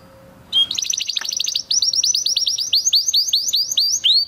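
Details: Spanish Timbrado canary, bred in 2020, giving training song: after a quiet start, a fast trill of rising notes breaks into a long run of loud, upward-sweeping whistles repeated rapidly.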